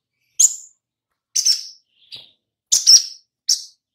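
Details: Oriental magpie-robin lure recording to get birds singing: isolated, sharp high chips spaced about a second apart, one doubled, with a faint softer note between.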